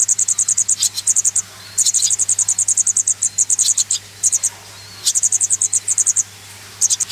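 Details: Young swallows being reared, calling for food with shrill, fast-repeated high peeps in long bursts, stopping and restarting every second or two.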